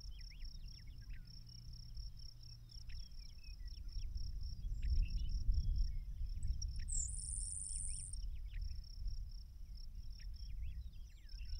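A Grasshopper Sparrow gives one thin, very high, insect-like buzz after a faint introductory note, over a steady pulsing insect trill, scattered ticks and low wind rumble.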